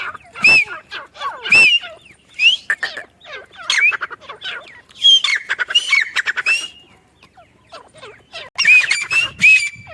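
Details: Scattered bursts of scratchy, squawky notes and arched squeals from a female teetar, or grey francolin, calling on a mango farm, with quiet stretches between groups of calls.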